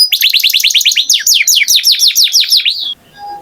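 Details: Canary song: a quick series of rising chirps, then evenly paced, falling whistled notes, about six per second, ending in a short fading tone and near silence.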